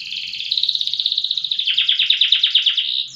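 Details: Loper-style canary noted for long, loud song: a high steady buzzing warble gives way to a fast run of rapid repeated notes, roughly six per second, ending in a brief rising note.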